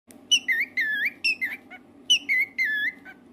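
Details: Pet cockatiel singing indoors: two phrases of loud whistled notes, each a few short rising and wavering tones, the phrase repeated after a brief pause, over a steady low hum.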